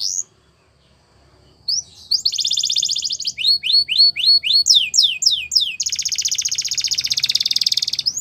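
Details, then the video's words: Canary training song for young birds: a brief high whistle, then a buzzy rapid trill, a series of repeated sweeping descending notes, and a long fast rattling roll to the end. "Canary Training Song"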